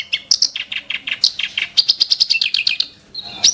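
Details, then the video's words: Harsh Ashy tailorbird song bursts, with quick descending chirps, then a steady run of about a dozen crisp repeated high notes, a short pause, and a final shrill whistle. "burung KERAK BASI tembakan tajam & kasar"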